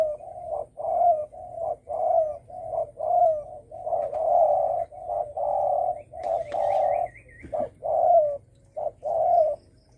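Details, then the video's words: Spotted dove call used to provoke other birds: steady low cooing, short and long notes alternating about once a second, with a brief thin rising-falling whistle from another bird in the middle. "Tiếng chim cu gáy đồng thổ sấm kích bổi mới rất hay"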